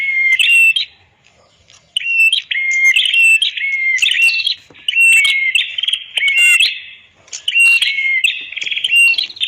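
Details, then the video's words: Red-headed prenjak recorded as a master for songbirds: repeated sharp, buzzy, whistled phrases in steady succession after a brief silence, high and loud throughout. "Suara ampuh Master burung Prenjak kepala merah"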